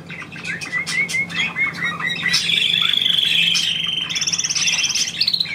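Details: Caged pet bird singing on its owner's prompting: a run of short rising chirps, then a fast even high trill and a higher buzzy trill closing the phrase.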